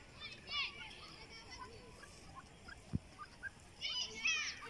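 Grey francolin giving two bursts of harsh, high, rapidly repeated rising notes, one at the start and one at the end, with faint chirps and a sharp click between.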